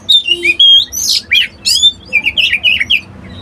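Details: Oriental magpie-robin, known locally as kacer, singing a varied phrase of clear whistles, sharp upslurred notes and short rising and falling chirps, delivered in quick bursts with brief pauses, in a quiet indoor setting.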